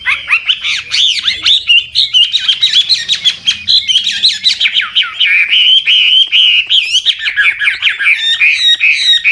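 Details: Old wild Chinese hwamei singing continuously with varied, switching phrases meant to stimulate young birds to sing; a dense run of rapid whistled and slurred notes, rising and falling without pause.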